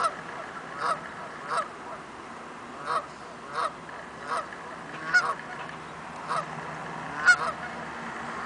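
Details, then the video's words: Several Canada geese honking before taking off, loud nasal honks spaced about one to two seconds apart, some doubled, standing out clearly above a low continuous background noise. "Canadian Geese are discussing their flying coordinates before taking off"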